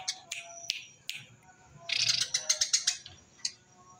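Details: Eurasian tree sparrow, "tembakan rapet" style for luring wild birds, with scattered sharp chips that give way to a fast, tight volley of high chirps, then a few single notes. A steady high whine sounds in the background.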